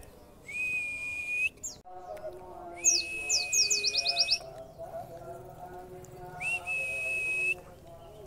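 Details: Caged white-eye singing after extra feeding, 'wit wit' style material: three long flat whistles, one carrying a burst of quick high descending chips, with softer warbling notes below.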